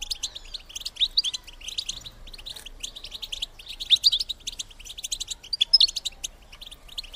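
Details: Female goldfinch calls intended to stimulate males to mate: a steady stream of quick, high, metallic twitters and chirps, rising and falling in loudness, with clearer piercing notes recurring every couple of seconds.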